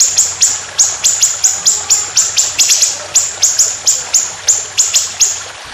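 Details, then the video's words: White-rumped shama in speedy 'tembakan' delivery: very high, whip-like notes with sharp attacks, repeated about four per second in a steady roll over low hum. "Masteran Burung Lomba Tembakan Panjang Roll Speed"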